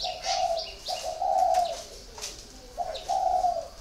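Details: Spotted dove, caged for four years, giving low, smooth coos in drawn-out phrases, each about half a second long, with brief gaps. Other small birds chirp and twitter at high pitch in the background.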